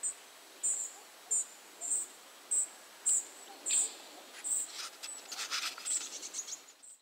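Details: Tree pipit giving a steady series of short, high, buzzy call notes, roughly one every half second. Fainter clicking and ticking sounds follow near the end.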